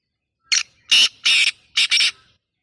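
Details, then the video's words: Black francolin giving a loud, harsh, grating call: a short rasping note, then two strong scratchy notes and a final doubled burst, all within about two seconds in otherwise quiet surroundings. "black tater ki 🔥 voice masti wali"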